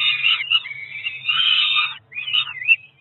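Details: Peregrine falcon chicks, roughly four weeks old, begging while being fed at a Cromer nest, June 2023: drawn-out rasping wails with a brief break, then a shorter wavering cry, over a faint low hum.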